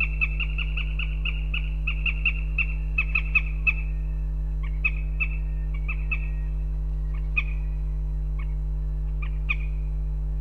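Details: In Riga, Latvia, on February 18th, a female northern goshawk calls for her mate with a fast run of sharp, repeated kek notes that slows and breaks into scattered single calls, over a steady low hum.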